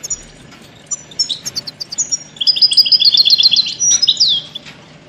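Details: ['European goldfinch singing, used to train songbirds: thin, high tinkling notes build into a fast, rolling trill of repeated paired notes, ending in a downslurred twitter, over soft background hiss.']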